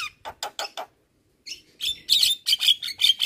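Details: Javan myna training recording: four evenly spaced scratchy notes, a short silence, then loud rasping, buzzy bursts repeated about every half second.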